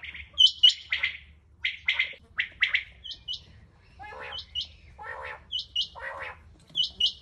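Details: Rain quail recorded 21 July 2022 giving harsh, metallic double notes about every second, with lower nasal squawks and thin high chirps mixed in; finding: Rain quail.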